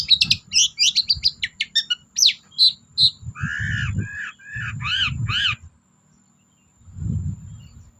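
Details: Long-tailed shrike, used as a lure to get silent shrikes singing: a quick run of sharp chirps and high whistled notes, then a series of harsh, rasping, buzzy calls, over low thumping background noise.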